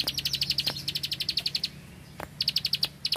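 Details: Bar-winged prinia, a ricefield bird, giving short bursts of bright, evenly spaced high 'klik' ticks, about a dozen per burst, separated by a pause, over a faint low hum and occasional sharp clicks.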